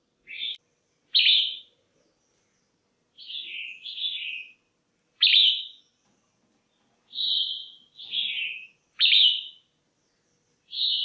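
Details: Female red-whiskered bulbul, kept caged, calling to stir up males or for pairing: short bright whistled notes near the upper-middle pitch, some falling, some slurred, given in pairs and singles about every second, otherwise quiet background.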